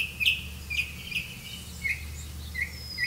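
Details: Grey-capped greenfinch bringing crickets to feed its young; a series of short, nasal chirps repeated roughly every half second, with a low steady hum behind.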